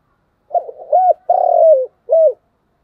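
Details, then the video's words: Spotted dove giving continuous 'thúc gù' style cooing: one low, mellow phrase of four hooting notes, a short lead-in, two rounded coos and a final clipped coo, with clean quiet background. "cu gáy thúc gù/ Cu gu lien tuc"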